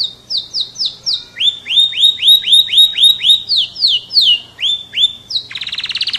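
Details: F1 canary in full song: strings of high whistled notes, each swooping down then flattening, repeated several per second, ending in a fast buzzy trill.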